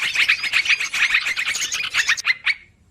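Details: Yellow-vented bulbul calls, noisy and long-running, used as a trapping lure: dense, harsh, overlapping chatter of rapid chirps that runs without pause for over two seconds, then stops abruptly.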